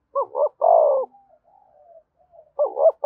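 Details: Spotted dove coos, played to encourage other doves to start cooing: a double note and long hoot, faint drawn-out murmurs, then the next phrase beginning, all against silence.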